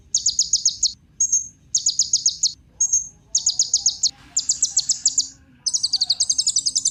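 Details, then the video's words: Kolibri ninja sunbird song used as a lure for other birds: high, dense trill bursts alternating with brief thin whistles, ending in a longer, richer chattering phrase. "Kolibri Ninja Pancingan Penggacor Burung Cocok Buat Isian Segala Burung"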